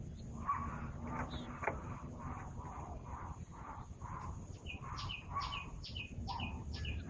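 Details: Zebra dove song used to lure birds: a steady series of soft, rolling cooing notes roughly every half second, joined later by higher sharp chirps from another bird, over constant low background noise.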